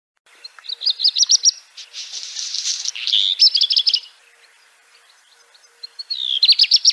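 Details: Black redstart (Phoenicurus ochruros): high thin whistled notes open into a fast run of sharp repeated strokes, then a dry crackling, scratchy burst, and the whistled phrase starts again near the end.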